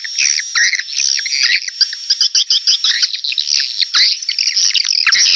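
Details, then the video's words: Calls for luring swiftlets: a steady stream of high, squeaky chirps and twittering notes, densely overlapping and nearly continuous, with a faint thin whistle running underneath. "SUARA SUPER PANGGIL WALET 2021"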